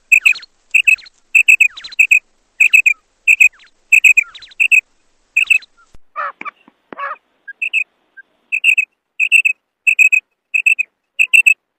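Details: Female quail calling: sharp, high clipped notes in pairs and triplets repeated about every half second, interrupted midway by a few lower, harsher rasping calls before the crisp note series resumes.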